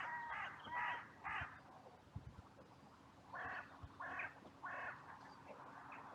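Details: Crows gathering in a cemetery after two crows fought, on a sunny day: two bursts of three hoarse caws each, separated by a quieter stretch with a few soft knocks.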